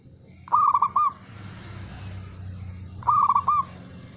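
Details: Male local zebra dove, a kept bird, calling to provoke rival birds to answer: two stuttering cooing phrases of quick, mid-pitched notes ending in a drawn, bent coo, about two and a half seconds apart, over a low hum.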